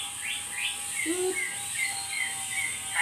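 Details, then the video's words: Pet Asian pied starling calling actively, said to be asking for coffee: a run of short rising whistles near the same pitch, with one lower slurred note, over steady background hiss. "GACORNYA BURUNG JALAK SUREN MINTA KOPI"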